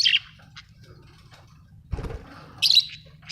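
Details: Budgies, Australian parrots, chirp with a bright note at the start and a scratchy chirp near the end, separated by quiet twittering and a brief dull thump.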